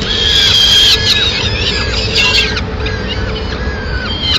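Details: Peregrine falcon mother bringing the chicks an afternoon meal, Madrid, 29 April 2016; a loud piercing squeal at the start gives way to rapid, repeated descending whines that fade slightly, over a low steady hum.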